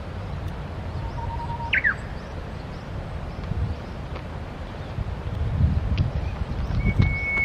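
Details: Japanese bush warbler at the Tsurumi River: a thin held whistle, then a short fluttering phrase that sweeps up and falls. It sits over steady low rumbling background noise, with another held whistle starting near the end.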